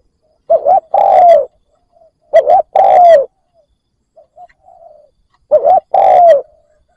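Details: Spotted dove kept as a decoy bird, calling to lure wild doves: three cooing phrases, each a short double note followed by one longer, slightly falling coo, repeated about every two and a half seconds, with faint soft sounds between.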